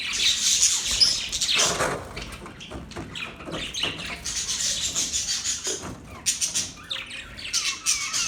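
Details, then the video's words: High budgerigar chirping and chatter, strongest in the first two seconds, then softer continuous warbling with scattered sharp chirps. "Budgies Parrot Talking sound Bird Chirping sound"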